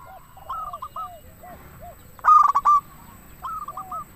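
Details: Local zebra dove, used to lure doves and rouse quiet birds to sing; soft low curved coos open, then one loud burst of rapid rolling notes, followed by quieter stuttering coos.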